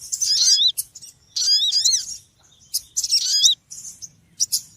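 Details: Busy high chirping from a small noisy bird: a few rich, slurred bursts about a second apart, then softer scattered notes near the end.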